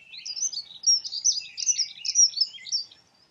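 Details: Dunnock singing one continuous, fast, high warble lasting about three seconds: a hurried stream of squeaky, wavering notes without pauses, clear against a quiet background.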